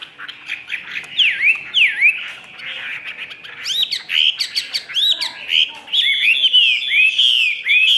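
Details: Chinese hwamei, caged, from a Vietnamese seller, singing 'ngũ trường' with its tail fanned. Swooping V-shaped whistles repeat about twice a second, then the bird moves into looping, rising notes and a dense, loud, rolling warble.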